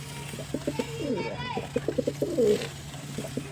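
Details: Repeated low pulsing pigeon coos forming a continuous rolling phrase with a brief swelling note near the end; faint high whistled sounds and a steady hum in the background.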